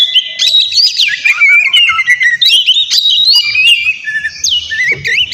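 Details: Oriental magpie-robin (kacer) in noisy full song meant as a lure to make a rival reply: continuous high whistled phrases sliding up and down, mixed with quick chips, with hardly a pause.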